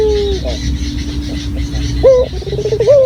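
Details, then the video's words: Dove used as a lure, clear natural voice: a coo fades out, a steady low hum follows, then a sharp note and a rolling trill ending in a held rising tone. "Pancingan Burung Puter Lokal Gacor Suara Jernih Alami"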